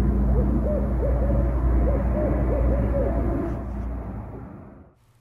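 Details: A Barred Owl in Missouri gives a rhythmic run of deep, slurred hoots in the 'who cooks for you, who cooks for you all' pattern at night, over a low rumble that fades out.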